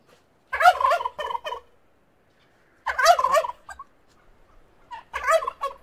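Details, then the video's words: A turkey gobbles three times, each a rapid, throaty rattling burst about a second long, spaced a couple of seconds apart. "What does a Turkey sound like?"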